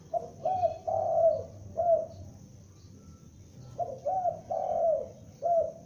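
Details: Juvenile spotted dove lure bird calling: two phrases of mellow low coos, each a short note, a rising note, then a long falling coo with a clipped ending, separated by a pause of about one second.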